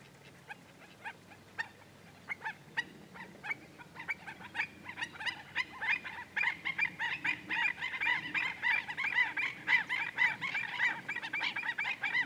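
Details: Black-necked stilt calling at Goldwater Lake in Prescott, Arizona, one morning in May 2017: scattered sharp yelping notes build into a dense, continuous stream of overlapping yaps, growing louder through the second half.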